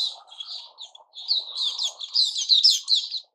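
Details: White-crowned shama (Puteh Raja), caged and in a new-feather season, 6 September 2021, pouring out a rich, rapid warbled phrase of whistles and slurs that builds in loudness.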